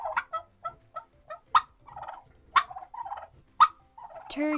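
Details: Farmyard turkey gobbling: rapid bursts of rattling, gurgling notes in short runs roughly every half second to second, with a louder harsh call closing the sequence over faint background music.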